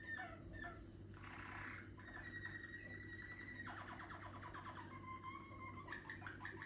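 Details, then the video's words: A young Malinois canary of the "pio vaca" type, still maturing its song, works through low, rolling tours, with a fast pulsed trill and then soft whistled notes over a steady low hum. "Canario pio vaca de canto malinois ,cuajando"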